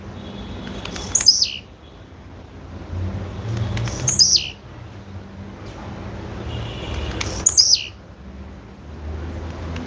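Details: A female blue-black grassquit calls three times, roughly every three seconds: thin high notes sweeping sharply down into a brief buzzy ending, with faint low hum underneath.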